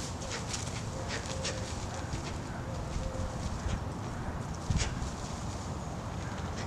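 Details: Turkey vultures grunting while fighting; low, rough rumbling grunts run through the recording, mixed with scattered scuffling bursts and one louder burst near the end.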